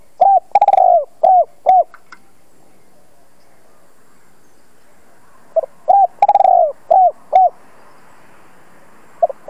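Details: Spotted dove calling to lure wild doves to the decoy. Two bursts of mellow low coos arrive about five seconds apart, each with short notes around one drawn-out, downward-sliding coo. Sharp clicking sounds accompany the calls over otherwise quiet background.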